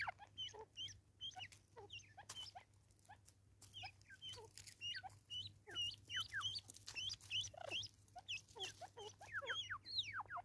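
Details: Natal spurfowl recorded in South Africa in 2024, giving a raucous, rapid cackling series of harsh notes that sweep down in pitch. The notes are repeated in quick irregular bursts throughout, with short pauses between phrases.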